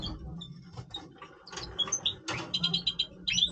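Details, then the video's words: Breeding-voice song of a Major European goldfinch: scattered thin chirps build into a quick series of buzzy, nasal notes repeated about five times, then a final sharp twitter. "Stieglitz Major Breeding Voice - singing Goldfinch"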